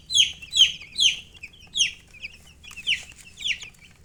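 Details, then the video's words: Baby chickens chirping: loud, high, downward-sliding peeps, about seven in four seconds, with faint softer chirps between them. "Baby "Chicks Chirping" Sound"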